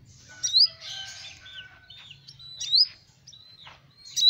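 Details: Sparse sunbird song, the kolibri ninja used as a lure for small birds: several sharp, high upslurred squeaks a second or two apart, with softer thin whistles and faint chatter between them.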